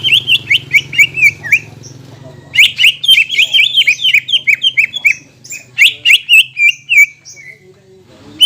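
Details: Greater green leafbird lure song for birds after moulting: rapid chattering runs of slurred whistles, fading toward the end, with a low hum in the first seconds.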